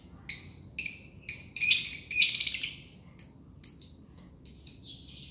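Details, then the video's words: Green lovebird giving ngekek song: a run of sharp, high, harsh chirps with a brief dense rattling trill midway, then more clipped chirps spaced about half a second apart. No other sounds. "Burung lovebird ijo, ngekek panjang"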